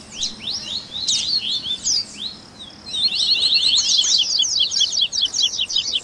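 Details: Captive Double-collared seedeater, baderninha-style warm-up song: scattered sharp high chips and slurs, then a dense, fast, chattering run of steeply sweeping notes that keeps going to the end.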